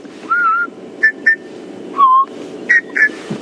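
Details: Southern Boubous duet at Buffelshoek Dam on a rainy October morning drive, 07:46: clear, mellow whistles, long slurred notes answered by short, higher fluty notes in quick pairs, over a low engine rumble.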